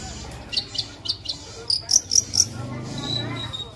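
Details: Long-tailed shrike in lively chattering masteran song with varied fill-ins: sparse short high chips, then a quick run of sharp whistled notes near the middle, over steady cricket trilling and low hum.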